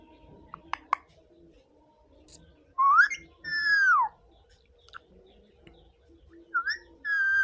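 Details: Indian ringneck parakeet indoors, giving a few clear whistled notes: a rising slur, then a long falling whistle, and a final rising-then-level whistle near the end, with faint clicks and quiet room noise between.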